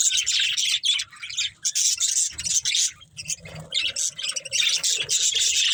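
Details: Chirping from a breeding pair of budgerigars: bursts of high, grating warble and chatter, with a short lower squawk midway.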